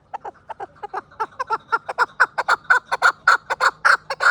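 A chukar gives a fast run of clucking 'chuck' notes, about five a second, that grow louder and more insistent as the series builds.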